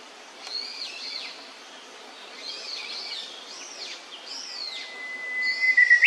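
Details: Immature blue-and-white flycatcher with looping, slurred mid-high notes in several short groups, ending in a rising thin whistle, set against faint steady background noise.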